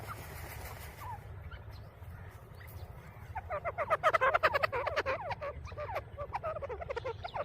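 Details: Grey francolin chicks fighting, a burst of rapid, high chirping squeaks starting midway and repeating several times a second over steady low background rumble, preceded by a few scattered faint notes.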